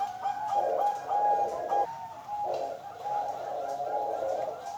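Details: A bred female Bangkok-type zebra dove, ringed, born October 2022 in Kediri, East Java, Indonesia. She sings a soft, hollow cooing phrase, a steady purring tone broken by short pauses and repeated twice.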